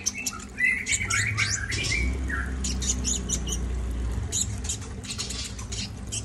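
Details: Brown-throated sunbird singing energetically: scattered sharp twittering and chirping notes, with a few clearer whistled phrases early on, over a steady low rumble and clicking background noise.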